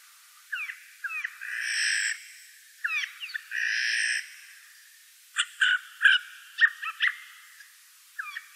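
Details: Rasping screeches from a Eurasian jay in the Wittlich valley, 2018, mixed with short curved chirps and a run of clipped, clicking notes in the second half.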